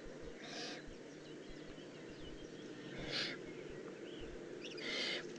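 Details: Juvenile Eurasian eagle-owl, Eifel, 18 June 2016, with three softer breathy hisses about two and a half seconds apart, partly buried in steady background rumble and noise.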